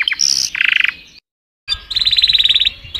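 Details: Singing canaries give short varied phrases and a quick bubbling trill, fall silent briefly, then return with a fast, even trill of repeated high notes; faint low background rumble.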